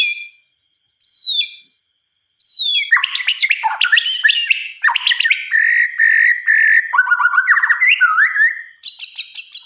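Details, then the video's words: At night, a white-rumped shama delivers a varied song of short high whistles after pauses, then dense tumbling phrases of slurred notes and rapid trills, ending on a high buzzy burst. "Suara Kicauan "MURAI BATU" di Malam Hari"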